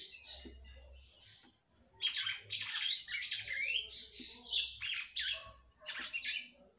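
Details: A female red-cowled cardinal, held by bird breeders, sings abundantly to excite the male. Rich, rapid warbling and chattering phrases with fluty sweeps are separated by brief pauses.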